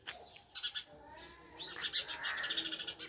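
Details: Sparrow chicks fed by a parent bird utter excited, high-pitched chirps in quick runs, building to a fast stuttering series near the end, over faint low rustling.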